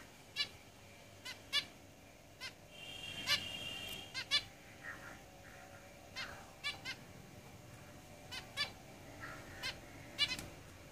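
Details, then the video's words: Several caged zebra finches call with clipped, nasal, harmonic beeps repeated irregularly, plus a short buzzy warbling phrase around three seconds in, against faint room noise. "Zebra Finches Singing in the cage"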